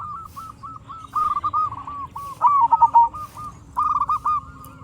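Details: Local zebra dove, frequent singer, recorded to make other zebra doves respond: quiet coos building into three louder rolling phrases of quick, bubbling notes, close together, over a steady low hum.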